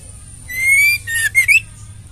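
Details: One phrase from a female white-rumped shama, used to rouse silent males: a long, clear, slightly rising whistle, then two quick sharp slurred notes, over soft low hum.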